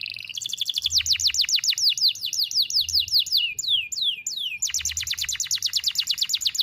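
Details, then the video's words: Canary in full song, a tutor recording for teaching juvenile canaries: a brief steady whistle, then long runs of rapid, piercing downward-sweeping notes, a few slower swooping notes, and another quick repeated volley. "KENARI GACOR NEMBAK TAJAM , DURASI PANJANG SATU NAFAS || CUIT CUIT MASTERAN KENARI PAUD AGAR BUNYI"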